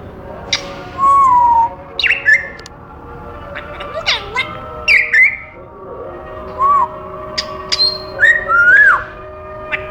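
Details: African grey parrot kept as a caged pet, vocalizing: a varied run of whistles, short rising and falling notes, clicks and squeaky chirps, spaced irregularly over ten seconds against a low steady hum.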